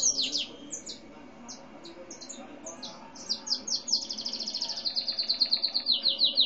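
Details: Gray and white canary of mixed breed sings scattered high chips, then a long run of clipped notes that speeds into a steady rapid trill; another seedeater was singing nearby during recording.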